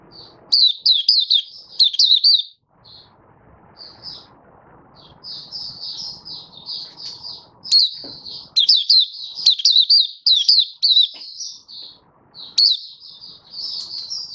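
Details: Malaysian mata puteh (white-eye) song recorded 27 February 2023: long bouts of shrill, fast-twittering notes, dense and overlapping, with a soft low background rumble between bursts.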